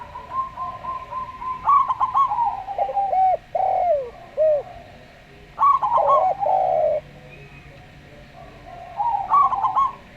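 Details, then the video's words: Local zebra dove in a slow, calm song, mixed with a Javan dove. Bubbling trilled notes run into falling rounded coos, in three bursts separated by quiet gaps, over a faint steady hum. "Perkutut Lokal Suara Slow"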